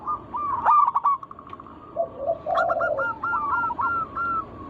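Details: Singing zebra dove from a local wild line, used to prompt other doves to sing: a rattle of quick coos, a low purring phrase, then a steady row of evenly spaced clear coo notes.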